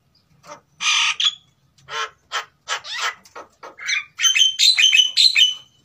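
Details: Captive-bred Sulawesi white-necked mynas, male and female, singing while in breeding condition as a lure recording. Scattered harsh, buzzy notes build into a fast closing series of bright, ringing whistled chirps.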